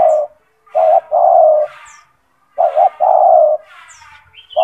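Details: Kept spotted dove with a strong, loud song, meant as a master recording to teach other doves. Repeated low coo phrases, each two clipped notes and a long steady note, roughly every two seconds; high chirping birds in the background.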